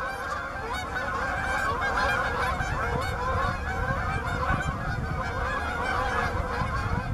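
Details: Canada geese looking for open water at Bass Ponds, Minnesota, on November 23, 2013, honk over one another in a dense, unbroken chorus of loud nasal calls from many birds, with a low rumble beneath.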